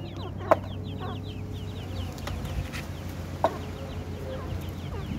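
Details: Francolin (teetar) chicks, possibly calling their mother or feeding, give a busy stream of thin, high, downslurred peeps; two sharp knocks and a steady low hum sit underneath.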